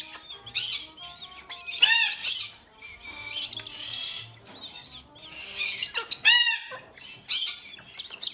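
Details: Lesser sulphur-crested cockatoo chicks, captive-bred sibling youngsters about four months old in Japan, calling while being hand-fed: harsh, raspy, rising screeches in repeated bursts with short gaps, some wing flapping, faint background music.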